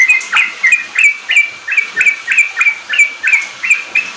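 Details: Sooty-headed bulbul in full riwik-style song, played to coax newly kept bulbuls into singing; crisp, evenly spaced whistled notes, each a sharp upward flick, repeated roughly three times a second in a clean, uninterrupted series.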